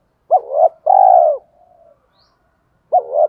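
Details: Spotted dove giving its 'thổ pha đồng' style coo, used to rouse decoy birds into cooing. One loud phrase, a short doubled note then a long steady coo, trails into a soft low note before the next phrase begins.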